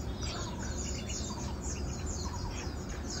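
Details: Asian glossy starlings, known locally as galansiyang, recorded on 4 August 2022: a dense, continuous chatter of high, thin chirps and squeaky notes overlapping throughout, over a steady low rumble of background noise.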